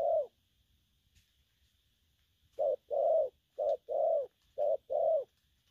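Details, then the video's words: Spotted dove, a young bird, cooing in the gù lăn săn style: one coo, a silent pause of two seconds, then three quick pairs of low hollow notes, each a brief coo followed by a fuller, longer one. "Bổi nước gù phóng, kèm, gù lăn săn"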